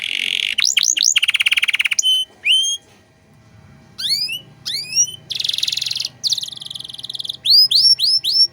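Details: Energetic canary song in 'cengkok mewah' style, offered as a master track for untrained birds. Buzzy rattles and swift sweeps, a short gap, clusters of rising hooked whistles, another buzz, and bright upslurred notes.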